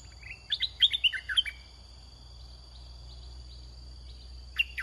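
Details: Caged red-whiskered bulbul serving as a decoy for wild birds sings one quick phrase of lively chirps and slurred whistles, then goes quiet. A single brief note follows near the end, with a high steady whine throughout.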